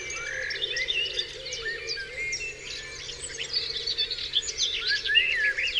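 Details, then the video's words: Dawn chorus over Dewlands Common: numerous birds trill, chirp and whistle together in a continuous high, busy wash of song. "Dawn Chorus"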